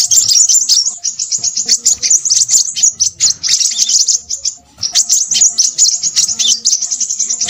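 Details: Busy song of a Crimson sunbird, long runs of rapid, very high metallic twitters broken by one short pause, then resuming just as fast and dense.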